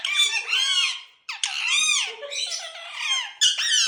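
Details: Pet Indian ringneck parakeets indoors during molting: continuous harsh, squeaky chatter with arching, wavering high notes in long phrases broken by brief pauses, resembling parrot talking, in a small room.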